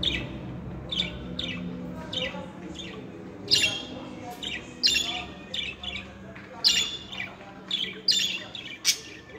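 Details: Pet budgerigars chattering: a run of short, harsh, scratchy chirps and squawks in bursts every second or so, with a faint low murmur beneath.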